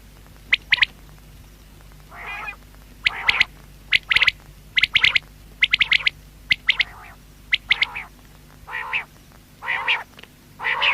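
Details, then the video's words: Common quail (batair): sharp pulsed triplets alternating with longer, nasal, harmonic calls that grow more frequent toward the end, over a low steady hum. "Batair sound | Quail voice"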